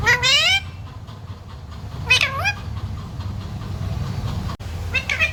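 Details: Pet parrot known for talking mummy, papa and sita ram: a loud wavering phrase at the start, another about two seconds later, and a faint third near the end, with constant low hum behind.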